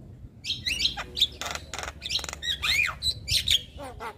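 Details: Untrained Javan myna (jalak kebo) chattering continuously: grating squawks, buzzy bursts and arched whistled notes in close succession.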